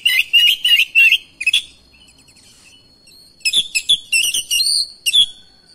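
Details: Oriental magpie-robin answering a rival magpie-robin's singing with persistent song. Rapid strings of bright whistled notes open the passage, then after a short pause a varied, fluty run of sharp and sliding notes follows.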